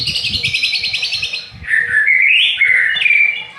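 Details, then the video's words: Aceh white-rumped shama song opening with a fast rattling trill of repeated high notes, followed by rich, sliding whistles that rise and fall, ending on a sustained clear tone; low knocking noises underneath. "Murai Aceh"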